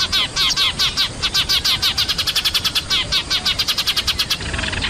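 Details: Eurasian tree sparrows from a lure recording of a noisy flock used to attract birds down: loud, sharp chirps repeated about four to five times per second in a steady, insistent run, with a brief rushing wash near the end.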